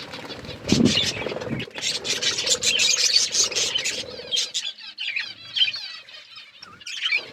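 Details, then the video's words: Several budgies eating and playing, giving rapid high-pitched chirps and scratchy warbling chatter, loudest early on, then thinning into scattered squeaky notes and short wavering whistles. "budgies chirping sounds"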